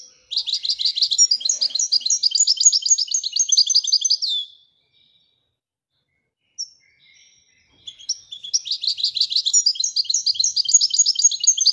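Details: European goldfinch of Moroccan type singing Wedania-style song: two long dense trills of rapidly repeated ringing notes, each about four seconds, separated by a quiet gap with a single call.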